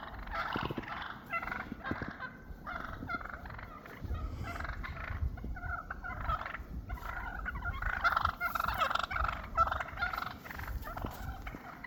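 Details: Several wild turkeys flocking up after a snowstorm, reuniting after months apart and establishing their pecking order, gobble over one another in rapid rattling bursts every second or two, over a steady low rumble of wind.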